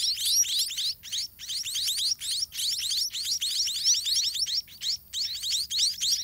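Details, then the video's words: Hungry white-rumped munia young in a soiled garden nest beg from their parents with a busy, high-pitched twittering of rising notes, several chicks overlapping, broken by short regular pauses. "Parent Birds in Garden Feeding Their Chicks"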